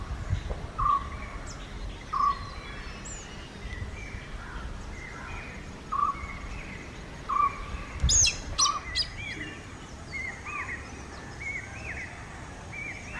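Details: Couple of Indian grey hornbills uttering a string of brief squealing notes, while other birds add chirps and upswept whistles in the background.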